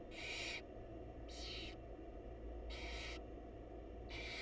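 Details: Mother barn owl feeding chicks in a monitored wild nest box; four coarse, airy screeches, each about half a second, evenly spaced over steady low-frequency hum.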